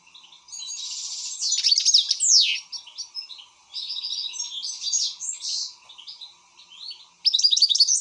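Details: Worked-up European goldfinch delivering a long jumbled song of buzzy trills, downward sweeps and chattering notes, ending with a loud rapid trill; a faint hum lies beneath.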